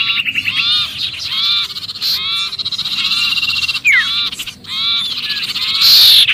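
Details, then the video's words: Sirpu in noisy distress as if caught, a sound used to attract other birds: fast runs of harsh, nasal, harmonic-rich chattering notes about four per second, a single sharp downward whistle, ending with a hissing burst. "suara pikat sirpu Ribut kejepit"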